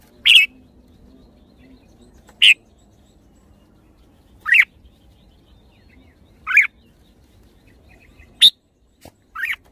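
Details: Red-whiskered bulbul uttering brief sharp chirped notes roughly every two seconds, six in all, each a quick downward-swept burst, with a faint steady hum between them.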